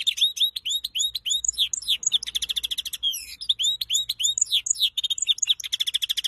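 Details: A goldfinch and canary cross pours out fast, dense song: repeated downslurred whistles at the start, then a continuous stream of quick twitters, buzzy trills and metallic high notes.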